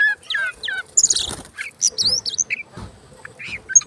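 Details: Oriental magpie-robin in full song while fanning its tail, played to coax other birds into singing: quick mix of whistled slurs, buzzy notes and chatter, with a dense noisy burst near the start.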